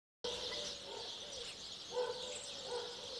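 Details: Spotless starling (Sturnus unicolor) singing at dusk from a TV antenna: a run of low, wavering whistles and short warbled notes over a constant high hissing wash.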